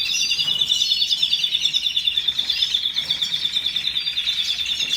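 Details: Canary producing an unbroken rolling trill, rapid even pulses holding a high pitch, with occasional brighter whistled flourishes above and a faint background hiss.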